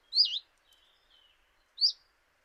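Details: A common chiffchaff at a kitchen window in Eibar in early March 2018 gives a swooping high call, then a second rising note about one and a half seconds later. Faint thin whistles drift in between.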